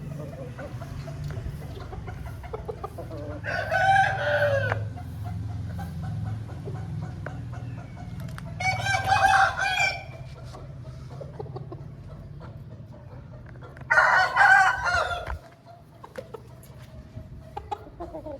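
An Aseel rooster crows three times, each hoarse, harmonic crow lasting about a second and a half.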